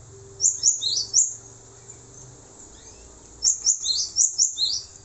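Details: Male cinereous tit, recorded to teach other songbirds: two brisk bursts of shrill, rapidly repeated doublets with a quiet stretch between them.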